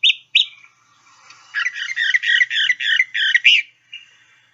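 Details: Northern Mockingbird song, played from a field-guide app: two sharp notes, then a phrase of rapid scratchy chattering notes repeated several times in a row, bright and mid-high; mockingbirds repeat mimicked phrases three or more times each.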